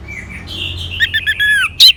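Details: Orange-headed thrush song for stimulating a quiet bird: a soft rising whistle leads into a rapid, jumbled warble of slurred notes, ending in a sharp, bright burst.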